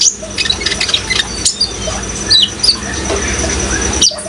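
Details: Kolibri ninja (sunbird) recorded as a singing aid for kept birds: scattered thin, high chirps and short sharp notes over a steady wash of running water.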